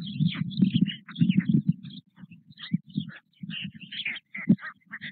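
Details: Four white stork chicks, almost the same size, sit with their father in the Nové Mlýny nest, 8 May 2024. Rough, low buzzing bursts stutter and pause, while sharp high chirps of small birds scatter throughout.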